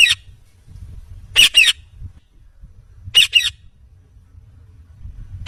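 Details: Talking Indian ringneck parakeet giving sharp, raspy double squawks at intervals of nearly two seconds, with quiet low hum between calls.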